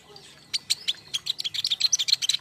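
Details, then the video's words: King konin song used as a lure and master sound for fledglings kept together in a group: a quickening string of sharp, high chirps and trills that grow louder, with a faint low hum beneath. "Kicau andalan KING KONIN"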